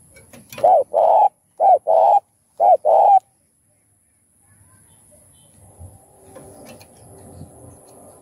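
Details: Spotted dove cooing, played to stimulate other doves; three paired coo phrases, each a short note then a longer one, in the first three seconds, followed by quiet low rumbling.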